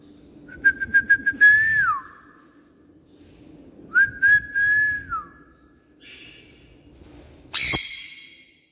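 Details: Fully tame pet Sun conure giving clear mid-pitched whistled phrases, each opening with quick chirps and then dropping away, followed by one sudden harsh screech.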